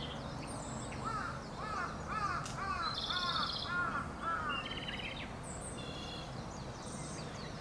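Japanese robin song: a brief high rattling trill amid a run of clear arched notes about twice a second, over a steady rushing background with other high calls.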